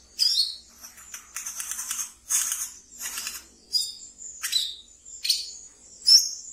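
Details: Pet wiceh in ngeriwik song, meant as a training lure for brown-throated sunbirds: a mix of buzzy rattling bursts and shrill, piercing chirps, spaced about every half second.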